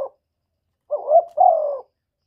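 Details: Spotted dove cooing, a recording used as a lure for trapping and to stir up kept birds: a clipped note, then a burry two-part coo, a short rise into a longer, slightly falling note, with a clean quiet background.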